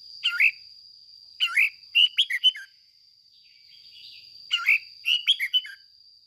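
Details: Decoy red-whiskered bulbul trained for bright ché singing, giving bursts of three to five quick melodic chirps separated by pauses of about two seconds, a continuous thin high tone in the background.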